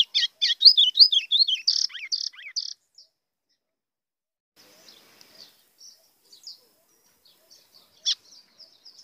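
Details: White-throated seedeater song in blue grosbeak style, used to excite rival birds: rapid run of bright slurred chirps and buzzy phrases lasting under three seconds, followed by quiet sparse twittering and a single loud note late on.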